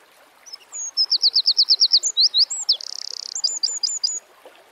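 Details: Eurasian wren singing in nature, a full loud phrase: introductory thin notes, a rapid series of ringing high notes, swooping whistles, a dense buzzing trill, then a few crisp whistled notes.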